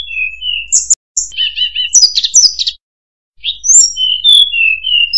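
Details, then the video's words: Tledekan, a murai buluh, delivering bright whistled notes mixed with fast chattering trills and sharp high clicks, broken by two short silences, in a clean recording without background noise. "Burung Murai Buluh | Tledekan"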